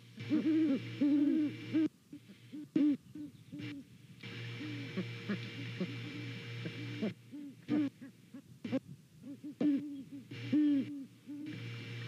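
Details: Pair of Great Horned Owls hooting to each other while checking out a nest on a cam in Savannah, on a late November morning; deep, soft hoots in overlapping bouts with short gaps, a steady hum behind.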